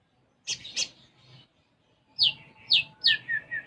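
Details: Caged konin sunbird singing actively with learned sparrow phrases: two short buzzy chips, then a quiet pause, then loud rising whistled upslurs and a few clipped high notes.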